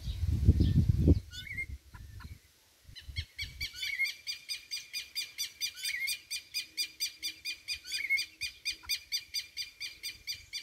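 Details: A Rufous-bellied thrush (Turdus rufiventris) chick, filmed 28 November 2022, gives rapid, scratchy begging notes, three or four a second, with a few short rising whistles. A low rumble of handling noise opens.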